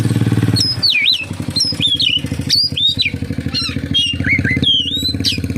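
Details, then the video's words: Oriental magpie-robin (kacer) singing a song full of kapas tembak imitations: looping, rising and falling whistled phrases about once a second over a steady, loud low engine rumble. "SUARA BURUNG KACER, FULL ISIAN KAPASTEMBAK"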